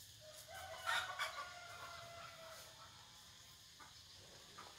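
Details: F1 red junglefowl kept as a decoy bird in Vietnam, giving a crow: a drawn-out, harmonic-rich call lasting about a second, with a steady high background hiss and faint low rumble.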